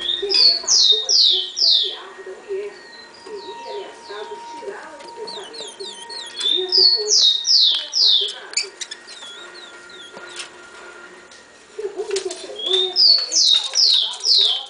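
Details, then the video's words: Female rufous-collared sparrow soliciting mating: three bursts of rapid, high, sharply descending chirps, around six notes per run, separated by quieter stretches where a person talks softly in the background. "FEMEA DE TICO TICO PEDINDO GALA"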